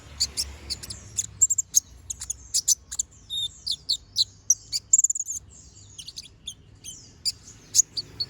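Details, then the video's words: Master recording of a brown-throated sunbird singing energetically in chattering style with sharp 'shot' notes. An unbroken stream of high, needle-like chips and thin slurred whistles runs over a steady low background hum. "Pancingan Suara Burung Konin Gacor Ngobra Tembakan Tajam"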